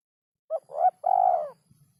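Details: Spotted dove song in a rhythm described as very hard to find: one low cooing phrase of three notes, two short coos then a longer, drawn-out, slightly falling coo, over faint low rumbling background.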